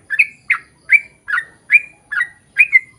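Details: Sooty-headed bulbul song used as a lure to get others of its kind singing: clear whistled phrases dipping then levelling off, repeated about every half second, regular and clean.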